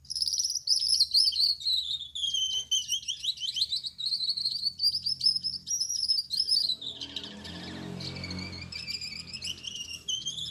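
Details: Male Gouldian finch with red head, yellow back and white chest singing at night: steady high thin buzzy song wavering in pitch, with a broader noisy rustle partway through before the thin notes resume.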